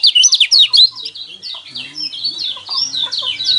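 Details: Song of a yellow white-eye, used to stir caged birds into singing: loud rapid high chirps and slurred twitters at the start, then a softer continuing warble with faint lower sounds beneath.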